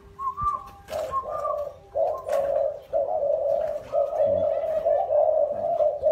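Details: Native Vietnamese spotted dove (cu ta) from Nam Dinh, Vietnam, kept by a breeder and handed over to a buyer on 26 April 2022; low, hoarse coos run together in a steady stream, with clicks and faint room noise.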